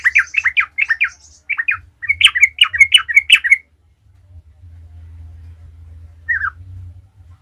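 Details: Sooty-headed bulbul singing 'gacor ngalas' as a lure for other bulbuls: rapid chattering note pairs for about three and a half seconds, then a steady low hum and one lone note near the end.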